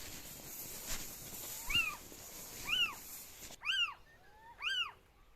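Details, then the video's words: A Little Owl, one of a spring pair near a farm, gives plaintive, cat-like mewing calls that rise then fall, four in a row about a second apart, over a faint background hiss. "Ce son est très prometteur parce que c'est le cri de la chouette chevêche."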